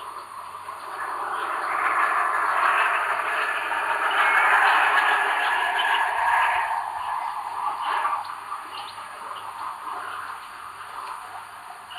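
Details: Only a steady, broad rushing noise like wind and rustling foliage, swelling and fading, with no distinct animal call.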